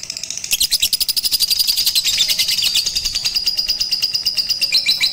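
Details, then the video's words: Batman lovebird trained to sing longer and more often on a rooftop with a master recording, first session 18 April 2021: after a brief quiet start, a continuous, very fast, high, shrill trill of pulsing notes runs without a break. "Melatih Kicau Lovebird Batman"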